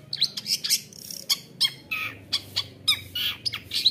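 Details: Long-tailed shrike in aggressive full song, harsh scratchy notes mixed with sharp high chips in an irregular, fast sequence, used to provoke other shrikes.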